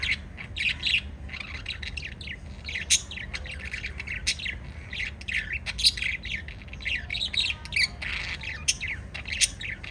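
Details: Five lovebirds chirping together in a busy, nonstop chatter of high, rapidly repeated squeaks and twittering notes, several birds overlapping, some louder shrill calls standing out, over a low background hum.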